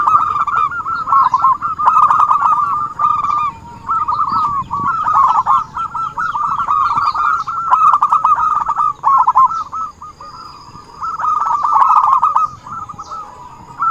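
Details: Zebra dove cooing used as a lure call for trapping: dense, nearly continuous runs of rolling, bubbly coos with overlapping phrases, briefly easing off now and then, over a faint steady high hum.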